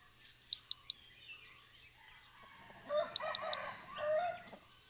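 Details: Red Junglefowl in forest of Khao Yai National Park, Thailand, where a flock is observed for research; short hoarse crow of about 1.5 seconds, three quick high small-bird chirps just before and during it.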